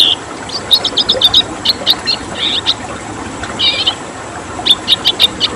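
Red siskin giving bursts of high, thin twittering notes in quick runs, pausing between phrases, over a steady hiss of background noise.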